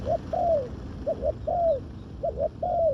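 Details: Spotted dove used in ground luring of wild doves. Close, clear coos in a rhythmic pattern: drawn-out notes that curve downward alternate with quick paired notes. The background is quiet.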